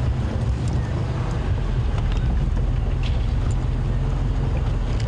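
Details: Loud, continuous engine and wind rumble from a moving vehicle outdoors, with no animal voice present.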